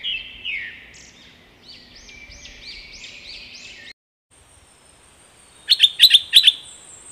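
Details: Straw-headed bulbul singing while confronting a wild bird: a loud warbled opening, then a run of repeated clear rising notes, a brief silence, and a burst of sharp high chirps near the end.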